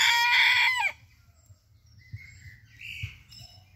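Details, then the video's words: Rooster crowing: the loud, harmonic-rich end of a crow fills the first second and drops off sharply, followed by soft chirps of small birds and low background rumble. "roosters crowing"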